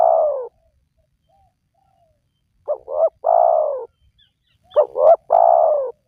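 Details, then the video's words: Spotted dove call played to lure wild doves: a trailing long coo, a pause, then two phrases of paired short coos and a long husky descending coo. "Jitu 100% Pemancing Burung Tekukur Yang Malas Bunyi,Langsung Rajin Bunyi"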